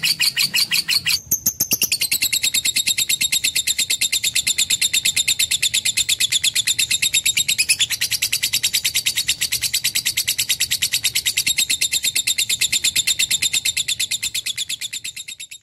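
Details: Long, continuous lovebird song. A dense, fast trill of piercing, buzzy chirps begins after a brief pause and carries on almost without a break, fading slightly at the close.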